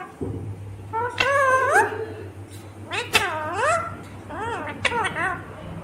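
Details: A green Indian ringneck parrot talks in a natural, unedited recording. It says a series of voice-like syllables with arched, swooping tones, in about five separate phrases with short gaps, over a low background hum.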